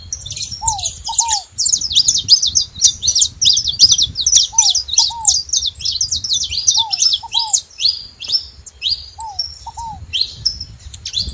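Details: Saffron finches (canário-da-terra) making noise at a feeder: a dense, continuous chorus of sharp high chips and twitters from many birds, with pairs of lower slurred notes recurring every couple of seconds.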